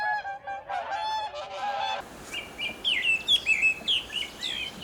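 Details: Bean geese in Korea give a few nasal, reedy honks in a quick cluster; then high, thin chirps from small songbirds take over.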